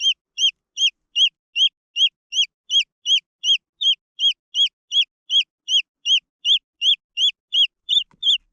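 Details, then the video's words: Continuous high peeping from green junglefowl chicks: roughly two dozen short arched notes at a regular beat of almost three per second, with a soft low knock near the end. "The Sound of jungle fowl chicks"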